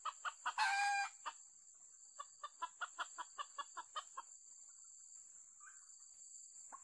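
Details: Clucking from a red junglefowl during decoy luring: a rustling burst, then a long even run of short, sharp clucks that fades out, with a constant high-pitched insect drone behind.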